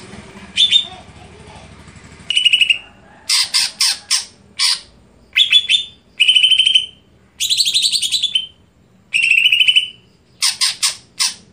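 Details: Greater green leafbird in a busy, varied song: harsh chattering bursts alternate with buzzy trills and whistled notes, delivered in irregular clusters with short gaps between.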